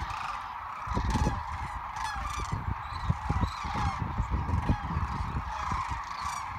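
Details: Migrating sandhill cranes, Platte River, Nebraska, March 2017: many birds give overlapping rattling, trumpeting calls, several close individuals standing out clearly with rich ringing overtones, over a low rumbling background.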